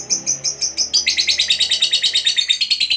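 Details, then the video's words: Competition fighter lovebird in a long ngekek trill: a few spaced high chirps, then a fast, even, buzzy chatter of rapid pulses running without pause to the end. "KICAUAN LOVEBIRD FIGHTER GACOR Ngekek Panjang"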